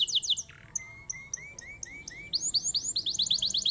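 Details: Competition-class canary from Mojokerto, Indonesia, in long-duration song: high trilled notes, then a series of soft rising slurs spaced about a third of a second apart, building into bright, rapid upswept chirps.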